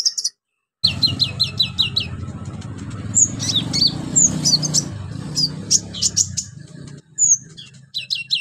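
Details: Orange-headed thrush in full, vigorous song with mimicked fill-ins, used as a lure to get silent birds singing: a brief gap, then rapid high sharp downslurred notes in quick bursts over a steady low rumble.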